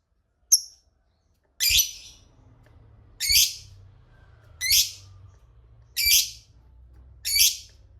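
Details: Lovebird used as a lure for rival lovebirds: one thin chirp, then five harsh, buzzy squawks about every one and a half seconds, with a low hum in the background.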